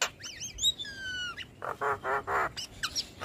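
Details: Head-nodding Black-winged starling in steady song: wavering whistles and a drawn-out level whistle, then three grating nasal squawks and short high notes.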